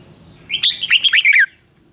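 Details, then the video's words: Red-whiskered bulbul, song for training caged birds or trapping: one brief phrase of quick liquid warbled notes lasting about a second, ending on a downward slur, over faint low background hum. "Siêu tiếng chim Chào mào hay. Luyện giọng chim nhà hoặc đi bẫy rất hiệu quả"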